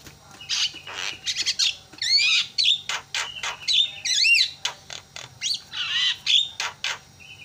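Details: Javan myna calls meant to provoke silent mynas into calling: a busy series of raspy squawks, chatters and looping whistled glides, loud and irregular, with brief pauses between notes.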